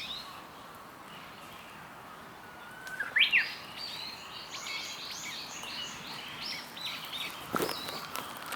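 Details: Japanese bush warbler at Ohori Park on 1 April 2015. A faint, low, steady whistle leads into quick, sharp, upward-swooping notes about three seconds in. Faint chirps from other birds and a soft steady hum run underneath.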